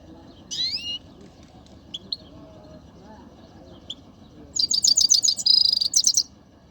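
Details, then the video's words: Pet Himalayan goldfinch in Quetta sings a high, liquid twitter: a quick opening burst, a few scattered tinkling notes, then a fast run of bright chattering phrases over a faint low murmur. "mast saira singing"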